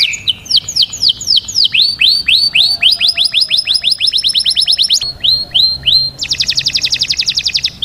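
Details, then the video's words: Canary song meant to train chicks to sing: loud high notes in changing tours, a few slow downward sweeps, then a fast run of rising notes, a brief pause, and a rapid buzzy trill to close. "تغريد كناري لتدريب الفراخ على الغناء"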